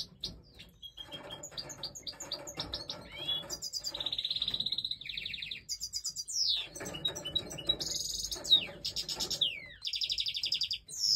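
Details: European goldfinch breeding time with chicks being fed; loud high twittering, buzzy trills and sweeping whistled notes come in fast bursts, strong and sustained across the clip with brief pauses.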